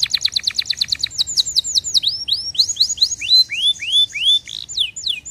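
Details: Canary song for stimulating birds: a rapid rattling trill of short notes that slows into a series of loud downward-slurred whistles, then more varied sweeping notes, all high-pitched.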